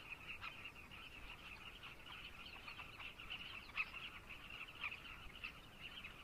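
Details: Zambian carmine bee-eater colony in full voice, a busy mass of overlapping rough calls with a few louder single notes rising above the steady chatter.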